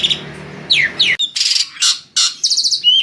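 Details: Short burst of Asian pied starling song aimed at drawing other birds to sing: two downslurred whistles, then loud broad rasping notes and a fast stuttering trill ending in a clear whistle.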